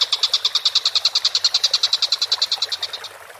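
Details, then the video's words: Collared kingfisher from a bird training recording, delivering a three-second run of quick, harsh kek notes at about eight per second, growing softer and trailing off at the end. "MASTERAN BURUNG TENGKEK BUTO GACOR"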